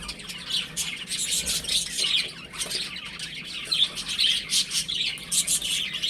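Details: Young chickens at home cheep in busy, irregular volleys of high-pitched peeps, some notes sharper and louder toward the end.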